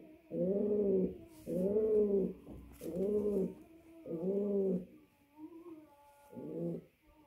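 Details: Mating call of a male pouter pigeon to a female: a run of deep, arched coos about a second long, with a softer short note and a final coo after a pause.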